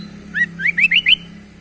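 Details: Unusual sounds from a sooty-headed bulbul: four or five bright whistled notes, each sweeping upward, delivered in a quick even sequence about every tenth of a second, with a faint steady low hum beneath.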